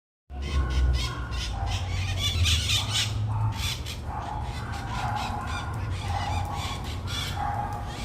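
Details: Scaly-headed parrot calling: harsh, raspy squawks with a nasal middle tone, given in uneven bursts over a constant loud low rumble.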